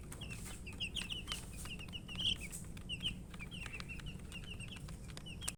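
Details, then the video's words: Several young chicks, thirsty for water and eating, giving short high peeps in small bursts, with tapping pecks and a low steady background rumble. "Murgi chicks Chirping sounds and eating"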